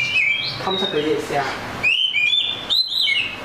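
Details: Oriental magpie-robin giving rising whistled notes that level into sustained clear tones, two phrases in a few seconds, over a soft murmur of low background sound.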